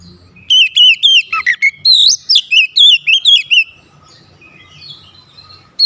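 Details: Oriental magpie-robin singing to challenge a rival: a rapid run of loud whistled notes, about four a second, wavering up and down, then a quiet stretch with faint background hum.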